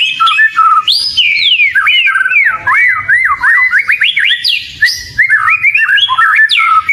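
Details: Oriental magpie-robin (kacer) singing a lure song of loud, clear whistles that swoop up and down in rapid varied phrases, with occasional sharp high sweeps.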